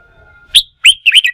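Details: Wild-caught red-whiskered bulbul stimulated to sing during song-fighting training: three quick, bright whistled notes, the last a twisting double phrase, after near silence.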